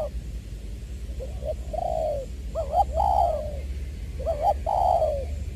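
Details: Spotted dove used as a decoy, from Long Đức in Trà Vinh, 'giọng tiểu' voice, recorded 22 February 2021: soft coos building into two full phrases of quavering double notes and long descending croons, over low rumble.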